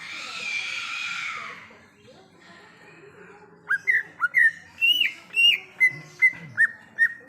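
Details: Greater green leafbird song from the wild: a rushing background hiss fades, then a series of loud whistled notes starts, some rising to higher squeaky tones before settling into evenly spaced downslurred whistles.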